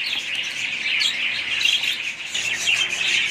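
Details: Budgerigar chorus of rapid chirps and scratchy twitters, many birds calling at once in a continuous high chatter with no pauses.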